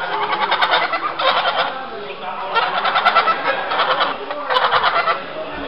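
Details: White domestic geese at a young-poultry exhibition in Oberdorf, France, on 8 July 2012, giving harsh, nasal honking bursts in quick runs, each run lasting under a second and repeated about every second, over a steady indoor hall murmur.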